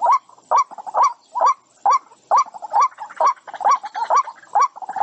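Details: White-breasted waterhen (Amaurornis phoenicurus) gives a steady series of hollow, mid-pitched 'kook' notes, about two per second, each with a slight upward inflection; the recording is meant as a lure for trapping birds.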